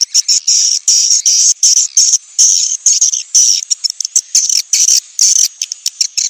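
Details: Swiftlet call for summoning the young: dense bursts of harsh, buzzy high chirps tumbling over one another in quick irregular volleys, with short gaps between bursts and no other sounds.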